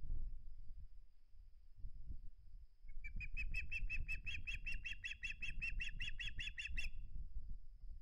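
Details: Nest-cam osprey on 21 August 2020, not keen to give up its flounder, breaks into a four-second run of rapid shrill whistled chirps over low rumbling and flapping or wind noise.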